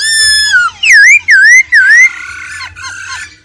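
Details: Laughingthrush, an old wild bird, singing against a female's rolling trill: a descending whistle, then three loud wavering whistled phrases dipping and rising, followed by softer, fainter notes.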